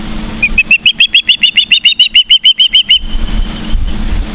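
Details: Osprey call series at Charlo, Montana, September 2023: a rising then level string of clear, piercing whistled chirps, about four a second, over a low background hum.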